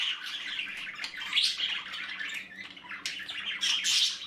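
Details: Budgerigar nestlings chatter nonstop inside the nest with grating, wavering squawks and thin chirps that rise to louder peaks twice, over a faint steady hum.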